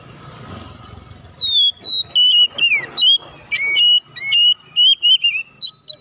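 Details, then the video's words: Oriental magpie-robin in loud, fighting-style song meant to prompt other magpie-robins to sing and open their repertoire; after a second of background noise, a run of about a dozen sharp whistled notes, some slurred, others paired or high and thin. "KACER GACOR NGOTOT NGEPLONG TARUNG KONSLET❗PANCINGAN KACER AGAR CEPAT BUNYI DAN BUKA MATERI!"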